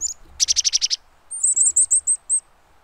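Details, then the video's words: A chickadee gives a quick run of six harsh, buzzy notes, then a fast string of thin, very high chips. "Chickadee Duet"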